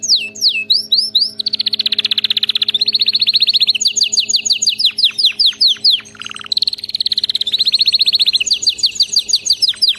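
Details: Canary singing as training material for pet canaries, a continuous stream of tours: falling whistled slurs, dense high buzzy rolls, rapid repeated chips, and a brief lower harsh burst midway, with no pauses.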